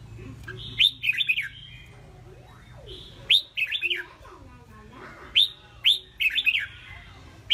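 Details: Caged red-whiskered bulbul, a spirited bird groomed for hard stage competition, singing loud clear phrases of a sharp upslurred note then a quick tumbling series of bubbly whistles, repeated about every two and a half seconds, softer sliding calls between.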